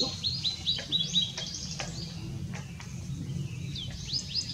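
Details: Blue-and-white flycatcher (Cyanoptila cyanomelana), 6 May 2016, singing a string of bright descending whistled slurs. After a pause a new phrase starts with rising notes, over a steady low background rumble.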